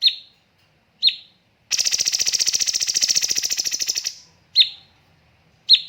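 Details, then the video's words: Cucak cungkok master recording for training birds: sharp downslurred whistles about a second apart frame a tembakan burst of fast, even buzzy pulses lasting over two seconds. "BURUNG CUNGKOK MASTER SEMPURNA JEDA & RAPAT TEMBAKAN"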